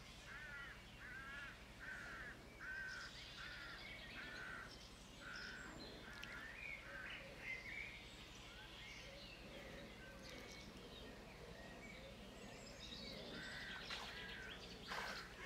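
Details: Feeding time on a White stork nest, with the young expected to fledge soon: a long run of short, nasal, wavering calls repeated at roughly one per second, pausing midway, over constant hiss.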